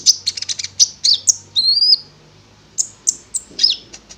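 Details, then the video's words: Prinia, locally konin, singing vigorously as a lure to prompt others to sing: rapid high ticking chirps, a drawn-out buzzy rising whistle, then scattered sharp notes after a brief silence. "Pancingan Konin Agar Bunyi"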